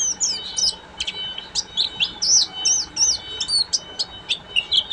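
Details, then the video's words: Pleci buxtomi, an Oriental white-eye, delivering ngeriwik song: fast, sharp high-pitched chirps and downslurred squeaky notes tumbling in quick bursts, with a faint background hum. "SUARA BURUNG‼️PLECI BUXTOMI FULL NGERIWIK"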